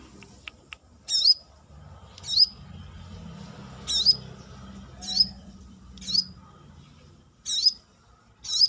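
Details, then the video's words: A brown-throated sunbird (kolibri kelapa), outside its cage, sings sharp, high, sweeping chirps roughly once a second over a faint low rumble. "KORLAP (Kolibri kelapa)Manggar gacor"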